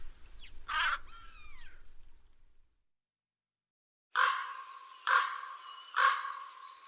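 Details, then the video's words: Black crow caws: one hoarse call, a short silence, then three more harsh caws at about one-second intervals, with a faint low hum. "The sound of the Black Crow"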